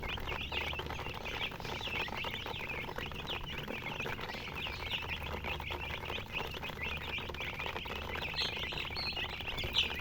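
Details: Group of baby chickens giving continuous high peeping, steady overlapping cheeps, a few sharper upward chirps toward the end, with low background hum.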